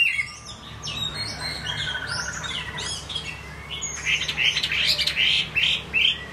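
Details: Song of a Chinese hwamei: a mix of sweeping whistles and harsher chattering notes, building to a bright burst of rapid, repeated phrases in the second half.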